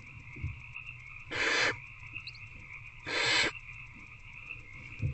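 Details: Barn owls in a nest box at night, 19 February 2024, around 9 pm, an adult feeding an older owlet a rat: two harsh, broadband hissing screeches about two seconds apart over a steady background drone.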